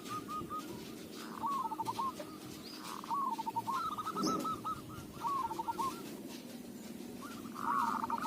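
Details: Local zebra dove intended for luring. Several bursts of fast, stuttering coos rise and fall over a constant noisy background, and the bursts grow louder toward the end.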